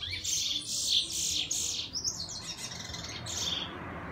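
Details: Bullfinch trying out its song in the morning: harsh, scratchy high bursts, then a softer string of thin chirps trailing off, over faint low background noise.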